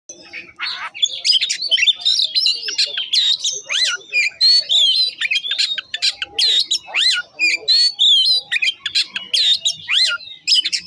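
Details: Oriental magpie-robin (kacer) in full afternoon song: a fast, varied stream of sharp whistles, rising and falling slurs and chattering notes delivered almost without pause.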